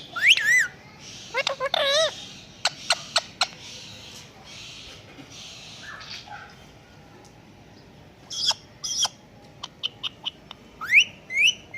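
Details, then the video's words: Indian ringneck kept as a pet, talking and copying a cat: rising wavy squeals, a few sharp clicks, a quiet stretch, then more clicks and a bright upward-sweeping cry. "Talking Ringneck Pet Parrot😘||बात कर रहा तोता🐱Cat Voice"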